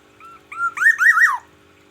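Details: Morning song of a Black-naped oriole from Aceh: a brief whistled phrase, quiet rising notes building to a loud rippling, up-and-down fluty whistle that falls away abruptly.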